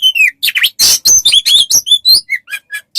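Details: Song of an Oriental magpie-robin used as tutor material for cage songbirds: falling whistled slurs, harsh buzzy bursts and quick upswept chirps in dense succession, about a dozen notes in three seconds.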